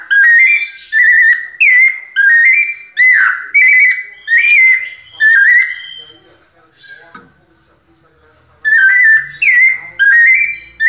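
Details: Pianado song of a captive white-necked thrush: rapid bursts of sweet whistled notes with sharp up-and-down slurs, repeated about a dozen times, then a pause of roughly two seconds before the phrases resume.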